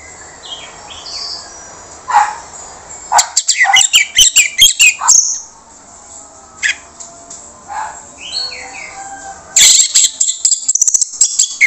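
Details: Orange-headed thrush (anis merah) singing a rough-voiced trigger song to stir silent birds into responding: soft whistled slurs give way to loud clusters of scratchy, chattering notes, a brief lull, then another fast harsh burst, over steady background hiss.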